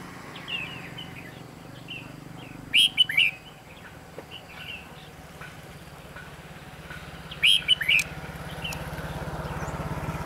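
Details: Red-whiskered bulbul at a bird-trapping spot on 23 October 2016, with soft chattering notes and two louder, sharp, slurred phrases about five seconds apart, a low engine-like rumble rising toward the end.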